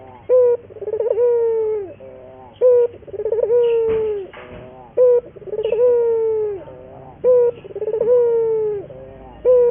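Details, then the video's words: Local collared dove (puter) used as a lure and training song: low cooing phrases, a rippling note run swelling into a long falling coo, each cut off by a short clipped coo, roughly every two seconds. "pancingan burung puter gacor, melatih burung puter lokal agar cepat gacor"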